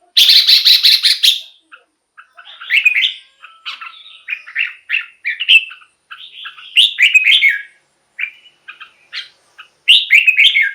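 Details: Red-whiskered bulbul song, played to excite caged birds or lure wild ones: opens with a loud rapid chattering burst, followed by many short whistled and warbled notes in quick uneven succession.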